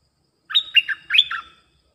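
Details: A bulbul (merbah lekir), used as a lure sound, sings two quick bubbly phrases of bright, warbled notes, each about half a second long, against a quiet background.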